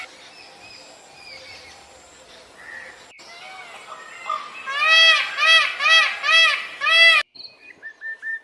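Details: Birds calling outdoors: scattered thin chirps and short whistled notes, then a run of loud, rich, arched calls repeated about twice a second for two seconds, followed by brief chirps.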